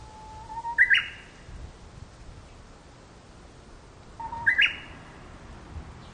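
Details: Japanese bush warbler sings twice in sun-dappled woodland, each phrase a drawn-out low whistle ending in a quick, bright upward flourish, with about three and a half seconds between songs over a soft hiss.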